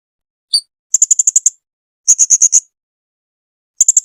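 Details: Blue-crowned hanging parrot singing (kicauan) on a masteran tutor recording: a single thin high note, then quick bursts of five to six piercing, very high ticking notes separated by brief pauses, with no background noise.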